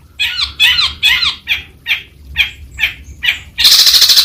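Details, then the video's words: A long-tailed shrike (Lanius schach) gives eight scratchy, chattering notes about twice a second, each a rough mid-to-high burst, ending in a loud hissing rush. "a bird with a very melodious voice, the long-tailed shrike"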